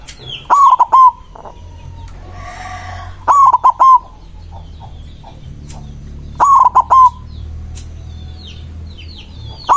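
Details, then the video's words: Loud white zebra dove in full song, singing to challenge rivals. Three rolling, stuttering coo phrases come roughly every three seconds. A brief rustling noise falls between the first two phrases, and faint bird chirps sound behind. "Perkutut putih gacor suara besar ampuh memanggil lawan bunyi emosi manggung"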